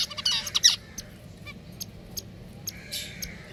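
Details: Pet finches give a loud, harsh burst of high chirps at the start, then sparse single chirps and a short, buzzy outburst near the end against faint hum.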